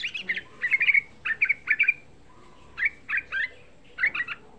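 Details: Sooty-headed bulbul, young bird, singing as a lure to rouse other bulbuls: clusters of two to four sharp, bright chattering notes, delivered in bursts with short gaps between them.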